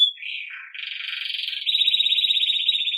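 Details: Belgian canary, song meant for training young birds: a dipping warbled phrase moves into a rapid rolling trill, then a higher, steady bell-like roll to the end.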